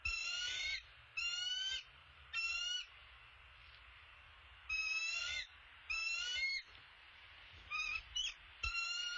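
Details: Bald eagle, a male bringing an opossum to the nest: eight short bursts of high, tonal, stacked notes with slightly rising inflections, unevenly spaced over nine seconds, with quiet low rumble between.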